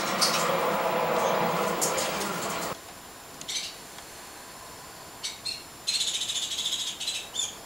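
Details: Grackles, possibly great-tailed, that eat dog food and yell at everyone, giving harsh, raspy bursts and a fast scratchy rattle near the end. Loud rushing noise fills the first few seconds.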